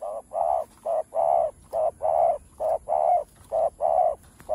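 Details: Spotted dove cooing in a full set of Chiêu, Thúc and Gù styles: rapid paired hollow coos, short then longer, repeated steadily about once a second over a faint low hum.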